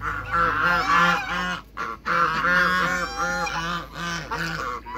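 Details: Loud, insistent honks from a backyard pair of African geese kept with other waterbirds, rich arched harmonic notes in quick runs, broken by one brief pause near the middle.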